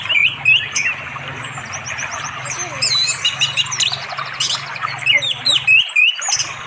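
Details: In an East Java forest far from settlements, an orange-headed thrush sings in the afternoon beside a flowing river to call a female for mating; bright, looping whistled phrases alternate with chattering notes over a constant low rumble. Recorded on Android.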